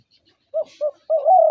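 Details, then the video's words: Spotted dove, a decoy or hunting dove, calling two short hooted notes followed by a long, smooth, slightly rising coo, loud and clear against a silent background. "শিকারী ঘুঘুর ডাক"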